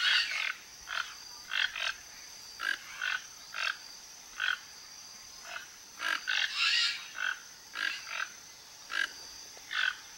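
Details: Toco toucans in a flock foraging around a backyard for fruit and food in Brazil; short harsh croaking notes repeated irregularly about once a second, with a steady high insect hum throughout.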